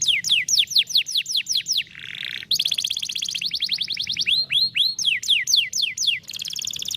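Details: Canary song played to coax a lazy canary into singing: fast series of descending high whistled notes, a brief harsh buzz, then dense rolling trills and more falling notes, with low constant hum beneath.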